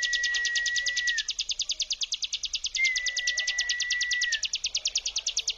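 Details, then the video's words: A mountain prinia gives a continuous, high, buzzy "ngebrem" trill of rapid ticking pulses, about seven a second, with two long, steady whistled notes, each rising slightly at the end. "CIBLEK GUNUNG NGEBREM GELOMBANG"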